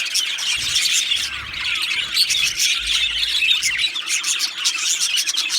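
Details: Two male Australian budgerigars chirping: a dense, continuous stream of bright, squawky chatter and warbled chirps, overlapping and unbroken throughout, with sharp clicks scattered among the notes.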